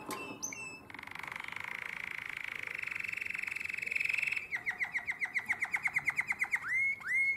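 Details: A canary in nightingale-like song, Drama, 2017, delivers a long buzzy rolled trill that rises slightly. It then breaks into separate slurred notes repeated about three per second and ends with upward swoops.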